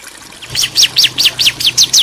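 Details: Quick run of bright, descending chirps from a bar-winged prinia pair calling to each other. The notes start after a quiet half second and then repeat steadily about five per second.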